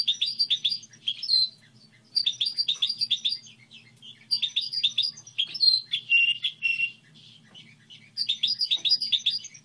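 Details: Song model of a goldfinch hybrid: bursts of fast, high, tinkling twitters, each about a second long, separated by short gaps, with occasional drawn-out buzzy notes in the middle; steady low background hum.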